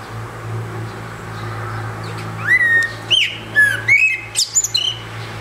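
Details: Eurasian blackbird singing alone on a rooftop: after quiet, a burst of clear whistled phrases with rising and falling notes and high thin squeaky tail notes, over a steady low hum.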